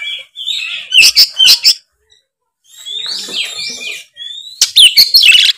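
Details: Oriental magpie-robin singing in the ngeplong style: three bursts of song separated by short gaps, mixing sharp chips with slurred, sweeping whistles that rise and fall.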